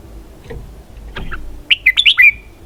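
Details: Red-whiskered bulbul giving a 'xoắn kép', or double twist, song phrase: a few faint notes, then a rapid run of five bright, looping whistles closing with a trailing downward slur.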